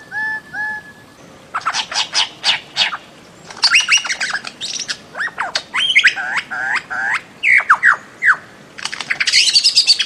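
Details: Bird-of-paradise calling: two soft whistled notes, then a dense run of loud, harsh, buzzy squawks and sharp downward-sweeping notes, with bursts repeated in quick series and a high rasping chatter at the end.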